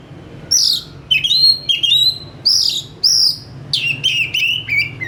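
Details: Energetic oriental magpie-robin song, quick to respond: loud clear whistles, several sweeping down from high, delivered in separate bursts about every half second, with a steady low hum underneath.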